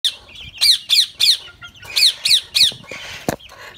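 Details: An Indian ringneck parakeet, a talking pet, gives about eight harsh, high, rasping squawks in quick succession, roughly three a second, ending with a brief rustle and a click.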